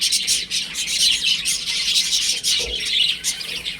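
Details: A group of baby chickens at home, high piercing peeps tumbling over one another in a continuous stream, and a soft low bump just after two and a half seconds.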